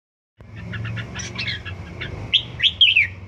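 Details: Red-whiskered bulbul, a bird one season old, practising its song: soft chattering notes build into three louder, clear whistled slurs near the end, over a low background hum.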